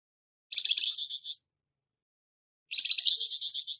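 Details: Flamboyan bird with a rough voice for tutoring songbirds: two coarse, buzzy trills of fast stuttering pulses, each about a second long, with a two-second gap between them and no background noise.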